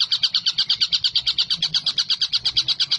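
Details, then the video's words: Collared kingfisher, long-duration singing recording, giving a fast, steady run of harsh, high 'kek' notes, about eight or nine each second, with little else heard; used as tutor song for other songbirds. "TENGKEK BUTO GACOR"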